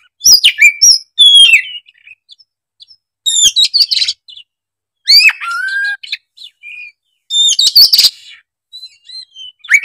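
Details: Oriental magpie-robin singing in separate short bursts of sharp, high chips and falling whistled slurs, spaced roughly two seconds apart with near silence between.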